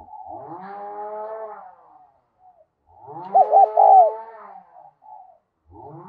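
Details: Spotted dove decoy with a Đồng Son voice, calling to draw doves in. A three-part coo phrase sits inside long humming harmonic tones that come and go.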